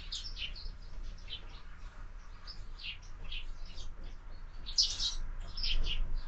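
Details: Sparrows at a window-mounted feeder in the morning, where birds are fed year-round; short high chirps scattered steadily through the clip, with a low background hum.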